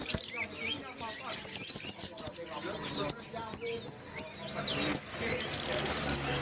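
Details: A group of lovebirds chirping together, used to coax a silent lovebird to sing: a continuous stream of shrill, high chirps and squeaky twitters, with faint lower warbles underneath.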